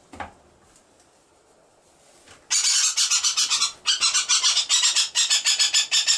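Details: Young Great Spotted Woodpecker, molted and lean, protesting while being ringed at Sandskär Bird station on an island near Haparanda; quiet at first, then a sudden burst of loud, sharp, rapidly repeated high calls with a brief pause midway.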